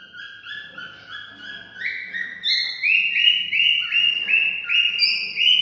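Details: Cockatiel singing to stimulate mating, a series of short stepped whistles repeated about three times a second, starting low and climbing to louder, higher notes.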